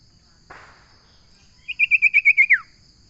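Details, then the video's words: Common iora song: after a brief rustle, a quick run of eight bright, evenly spaced notes at a steady pitch, ending in a sharp downward slur. The background is quiet. "Suara burung sirtu/ Suara burung Cipo/ Suara burung Cipow/ Suara burung cipoh"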